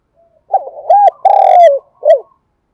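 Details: A spotted dove's calling coo at morning, used to train decoy birds: a faint lead-in, stammered low notes, a rounded hoot, a long downward-sliding coo and a short final note, with a quiet background.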